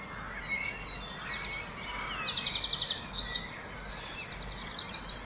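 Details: Birdsong by a lake in the morning: high, clear twittering with rapid trilled bursts and repeated chirp series, several voices overlapping, over faint steady background noise.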